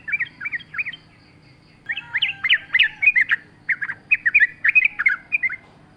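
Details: Sooty-headed bulbul singing in the wild, a lure recording for training caged birds: a few spaced whistled notes, then after a pause a dense, jumbled run of bubbly warbling phrases.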